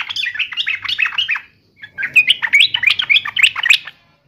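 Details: Yellow-vented bulbul answering an opponent in two rapid phrases of bubbly, rising and falling warbled notes with a short pause between.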